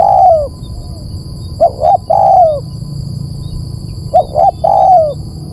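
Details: Repeated spotted dove calls used as a lure: a falling coo, then two more phrases of paired short hoots ending in a long downward-gliding note. Low rumble and a steady high whine in the background.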